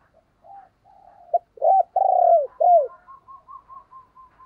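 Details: Decoy spotted dove used to stir other doves into cooing gives a run of low, hollow, slurred coos, some rising then falling. Softer, evenly spaced murmuring notes follow.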